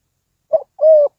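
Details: Spotted dove kept as a decoy for luring birds into a trap, giving a brief stuttered note followed by one long, level, hollow coo.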